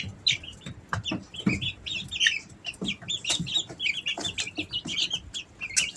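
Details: Several three-week-old Easter Egger chicks at home in summer peep busily, high short notes overlapping in quick succession, with frequent clicks and scratching of feet.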